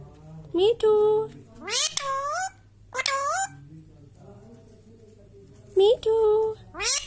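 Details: Natural whistling from an Indian ringneck parrot, a series of loud rising harmonic whistles, some curving up then dipping, others leveling into a steady held note, given in bursts about every second with quiet gaps between.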